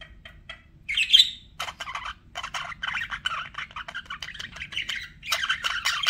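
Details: Budgerigar chatter: a loud squawk, then a long stretch of scratchy, buzzy chirps in rapid bursts. The birds grow busier toward the end, over faint background hum.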